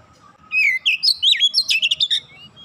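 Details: Oriental magpie-robin in dense 'nembak' style singing: a rapid run of loud, clear whistled notes, sliding and looping up and down, then quick clipped bursts over about a second and a half; faint background hum.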